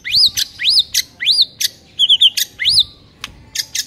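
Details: White-rumped shama master song for training silent birds: high arched whistles alternating with sharp clicking chips in a steady repeated pattern, one phrase with a quick trill.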